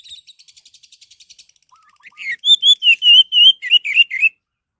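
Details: Orange-headed thrush singing as a lure to stir other birds into song: a fast series of thin high ticking notes, a few soft low pipes, then a loud sequence of rolling whistled phrases.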